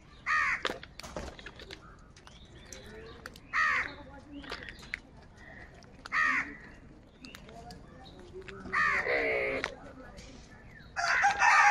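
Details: Crows calling in the morning while fighting over food, loud grating caws spaced irregularly every two to three seconds, with a longer ragged burst near the end and scattered clicks and rustling between them.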